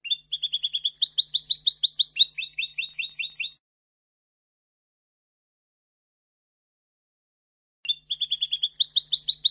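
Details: European goldfinch song meant for training young goldfinches: three and a half seconds of fast high trilled phrases shifting between note types, a long silence, then the song resumes.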